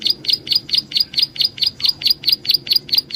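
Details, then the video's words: Lure recording of a prinia, called prenjak alang-alang: steady fast run of bright, high, slightly buzzy chirps, roughly four each second, evenly spaced throughout. "suara burung prenjak Alang Alang || buat pancingan"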